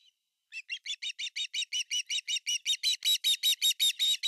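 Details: Male osprey at its nest in Finland in August 2020, bringing a huge fish: a loud string of roughly eighteen piercing chirps that speed up and climb slightly in pitch, delivered about three per second.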